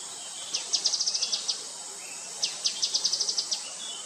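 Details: Grey-headed canary-flycatcher giving two rapid runs of high, sharp chipping notes, about eight notes each and two seconds apart, against constant shrill insect noise.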